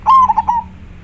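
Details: Clear majapahit-style song of a local zebra dove: one long whistled coo and three rolling follow-up notes, brief and clean, with only faint low hum behind.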